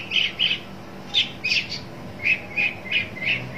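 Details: Shrike calling for a rival with short scratchy chirps repeated roughly every third of a second, in small uneven groups.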